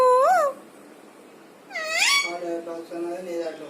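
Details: Parrot talking: a clear rising-and-falling whistled note, a pause, then a loud rising squeal followed by a run of harmonic, speech-like warbled syllables.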